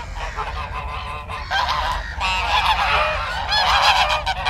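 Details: Geese on a farm giving loud, nasal, harsh honks that overlap in quick succession, several birds calling at once at roughly four honks per second, growing denser toward the end.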